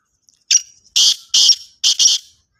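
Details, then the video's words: Black francolin, also called kala tetar, giving a rasping call of four to five loud, scratchy notes spaced about half a second apart after a soft opening note. "Kala tetar voice"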